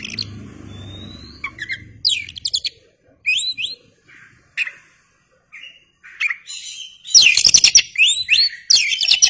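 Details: Lively oriental magpie-robin song used to lure and stir other birds, the bird fanning its tail: choppy high chirps, quick trills and buzzy bursts in short varied phrases, growing dense and loud toward the end.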